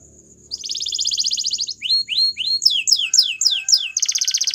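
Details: Belgian canary in song: after a quiet start, a dense buzzy trill, three rising sweeps, a row of sharp downward slurs, and a bright fast rattle to finish.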